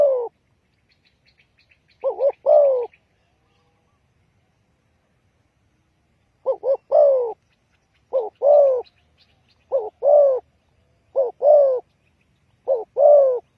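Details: Spotted dove lure call for trapping wild birds: low husky coos in paired phrases, a short doubled note then a longer wavering drawn-out coo, repeated at irregular gaps, with faint high chirps of small birds in the background.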